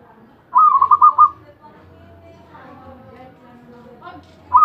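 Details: Zebra dove, a champion bird, delivering an ecek ecek phrase: a quick run of bubbling coo notes at even pitch, then a quiet pause with faint background murmur before the next phrase begins.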